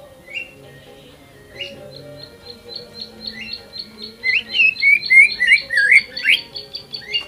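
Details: Greater green leafbird singing to stir other birds into song: a quiet start building into a string of high chips, then loud, clear, rising and falling whistles, over a soft low hum.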